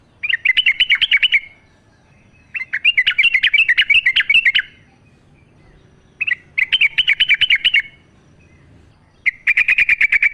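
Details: Yellow-vented bulbul singing in the wild, used to coax caged birds into song: four lively chattering phrases, each a fast run of bright notes lasting one to two seconds, separated by short pauses.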